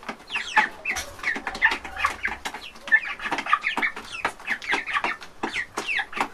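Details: Many young chicks chirping together in a busy stream of shrill, quick peeps, some rising then falling, repeated without a break; a faint low hum sounds briefly near the start.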